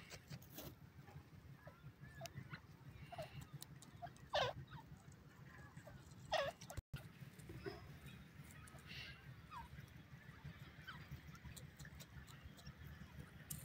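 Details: Female partridge, called kala teetar, calling: two short, sharp, loud notes about two seconds apart. Fainter chirps are scattered through the recording over a steady low hum.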